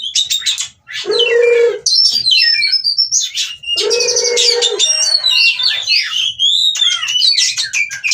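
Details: Oriental magpie-robin in breeding condition, wanting to mate and showing ngobra display, from a breeding farm in Cirebon, Indonesia. Bright varied whistles broken by two harsh nasal buzzes, then a rapid run of sliding high notes.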